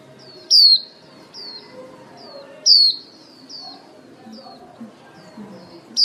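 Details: White-eye female lure bird calling the flock, used in trapping. Loud thin falling whistles repeat roughly every two seconds, separated by quieter high notes and low background hiss.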